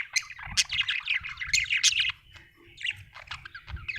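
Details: Budgie chattering in a rapid, scratchy warble of clicks and squeaky chirps, busiest in the first two seconds, then quieter trailing notes over a faint low hum.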